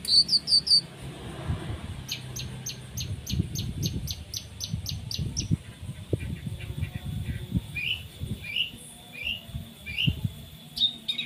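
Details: Long-tailed shrike in full 'tembakan' song with 'isian' mimicry for training contest birds: a quick set of very high notes, then a long evenly spaced series of sharp ticks, followed by softer rising chirps.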